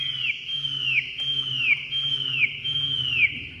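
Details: Caged Chinese hwamei just out of its nest box, singing a loud whistled phrase of repeated down-slurred notes, about one per second, over a steady low hum.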